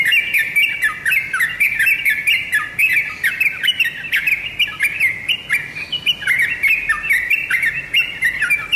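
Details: Tame sooty-headed bulbul singing lively and continuously: a fast, unbroken stream of bright chirping and bubbling notes that hop up and down through a middle-high pitch band, with no clear pause throughout and a quiet background.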